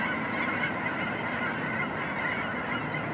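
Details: Canada geese at Vancouver, Washington, USA, on November 23, 2010: a dense, continuous chorus of overlapping honks from many birds blending with steady broadband background noise.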